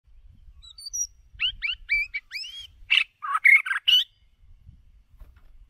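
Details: White-rumped shama decoy bird singing: a lively run of rising whistled slurs followed by louder buzzy, chattering notes and rich warbled phrases, delivered rapidly over about four seconds with faint low rumble behind.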